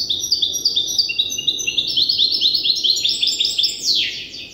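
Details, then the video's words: Learning-stage song of a young goldfinch hybrid tutored by an older hybrid: a lively, continuous run of high, repeated twittering notes that climbs in pitch, then a falling sweep near the end. "تغريد هجين الحسون لازال في مرحلة الحفظ"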